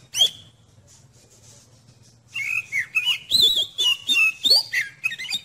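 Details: Oriental magpie-robin (kacer) song meant to test the nerve of another kacer: one sharp whistle, a quiet soft warble, then a loud stream of rapid varied whistles, slurred notes and chirps repeated in quick bursts.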